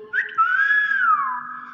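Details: Common hill myna mimicking human speech, "bakpao": a brief bright note leads into a smooth, sustained whistle that arcs gently and then falls away, while people speak close by in a room.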